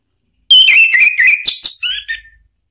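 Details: Orange-headed thrush song used to provoke a rival into replying: a two-second run of quick twittering that ends in a few falling whistled notes.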